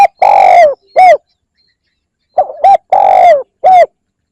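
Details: Calling spotted dove, played to lure birds: a long falling coo and a short coo end one phrase, then after a pause two quick notes, a long coo and a short coo follow.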